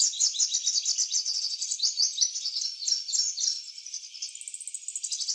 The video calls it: Purple sunbird in eclipse plumage singing different songs